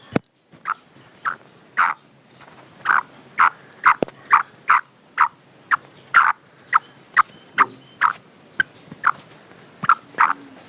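A female black francolin gives a long series of short, harsh clucking notes, about two each second, at a steady mid pitch against a quiet background.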